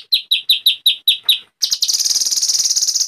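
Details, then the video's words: White-rumped shama singing in an agitated state. Seven loud, downslurred chips come about every fifth of a second, then give way to a continuous, rapid, high, buzzing trill. "MASTERAN MURAI BATU GACOR ! LANGSUNG NYEMPLONG & EMOSI !!!"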